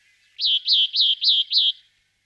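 Sombre tit giving five quick, high slurred notes, each rising then dropping, about three per second; nothing else is heard.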